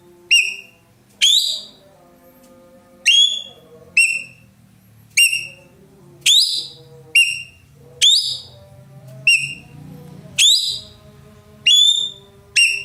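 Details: Roller called ekek keling in Indonesia, praised as loud and melodious, repeating short harsh descending notes roughly once a second across the whole stretch, over a quiet bed of soft warbling from other birds.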